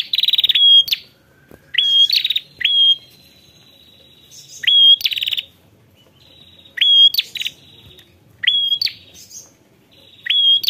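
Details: Ashy prinia calling to a rival, giving sharp upswept whistles that level off, each trailed by a short buzzy rattle, in separated bursts about every one to two seconds with softer reeling between.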